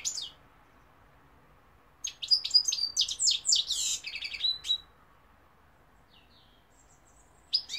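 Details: European goldfinch singing, 2021: a dense burst of high, fast twittering and tinkling notes lasting about three seconds, with single short chirps before and after and quiet pauses between.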